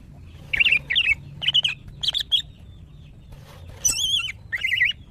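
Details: Calls from a kept female greater green leafbird in breeding condition, calling to attract males: warbled, wavering whistles repeated in short phrases roughly every half second, with one brighter, rippling high note near the end.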